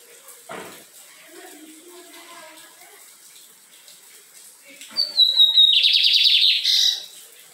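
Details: Lined seedeater song recorded in the Fátima neighbourhood of Maranhão, Brazil: faint low sounds and background noise, then a high thin whistle sliding down into a rapid, buzzy rattling trill of repeated notes ending with a sharp high note.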